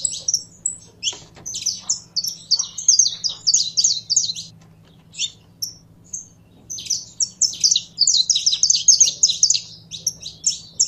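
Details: Saffron finch kept in a cage, being warmed up: two long runs of fast, high, sharply chirped notes separated by a brief lull with a few isolated chips, over a faint low hum.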